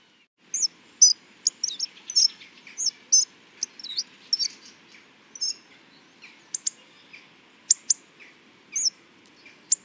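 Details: Hawfinch giving a busy run of high, clipped chirps and sharp ticks, dense at first, then thinning to scattered single notes.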